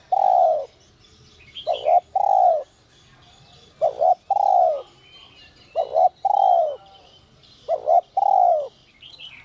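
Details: Repeated coos from a spotted dove with 'giọng còi' voice, used to stir wild doves into calling. Each phrase is two short notes and a long descending coo, about every two seconds, with occasional small-bird chirps above.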